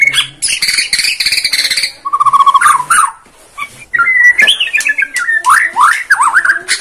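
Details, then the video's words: White-rumped shama (Borneo form) played as a lure to make other birds sing: dense chattering bursts, a rapid trilled run, then loud rising and falling whistled phrases, varied and energetic. "PANCINGAN MURAI BORNEO BONGKAR ISIAN"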